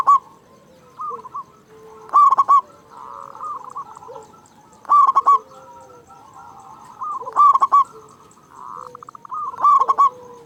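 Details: Local zebra dove with a loud voice, played to stir caged doves into song. Bright staccato coo bursts recur about every two and a half seconds, with softer warbling coos between them.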